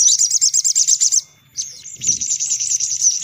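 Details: Sunbird lure call: a fast run of about ten evenly spaced high chirps, a one-second silence, then a continuous twittering trill of thin notes.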